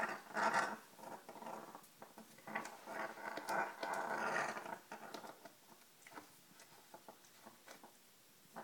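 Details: African Grey Parrot on a kitchen floor, tossing around a rug that fascinates him and growling at it: rough, harmonic low growls in bursts that swell louder, followed by softer scuffling and tapping sounds.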